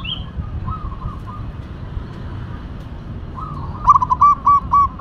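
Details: Local zebra dove (perkutut) gives soft, rolling coos, then a louder run of quick, staccato cooing notes near the end, over a low background rumble.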